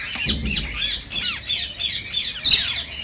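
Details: Rose-ringed parakeet screeching to stimulate singing and mating: sharp, grating squawks about every third of a second, with a brief low thump near the start.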